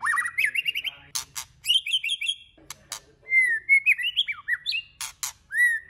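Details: A white-rumped shama sings a varied phrase meant to spur other shamas to sing. Rapid rising trilled runs and loud clicks are followed by clear whistled notes, some sliding up and down, ending on a sustained whistle.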